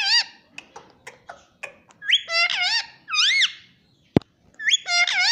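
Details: Pet Indian ringneck parrot that talks, saying 'mummy' and 'papa' indoors. It gives a string of short clipped notes, then clear, bending whistled syllables that rise and fall. A sharp click breaks in near the end.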